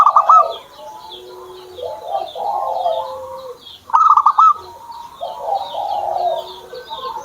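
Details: A perkutut, or zebra dove, owned by the keeper, gives short rapid trills of staccato coos at the start and about four seconds in. Other birds' warbling and high chirps continue throughout.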